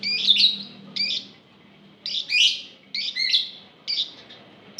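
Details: Lovebirds in a group (ombyokan), played to get other lovebirds singing: harsh, rasping chatter bursts roughly every second, with some bursts doubled, over a low steady background hum.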